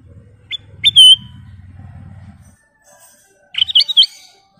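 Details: Black-crested bulbul singing: a few sharp rising chirps and a loud clear whistle, a pause with low rumble, then a quick tumbling run of bright chirped notes.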